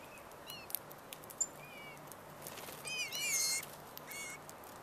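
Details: Several male Rose-breasted Grosbeaks contending at backyard feeders for sunflower seed, suet and jelly give sharp, squeaky chip notes at irregular intervals. A louder burst of overlapping calls comes near the end, over a soft outdoor background.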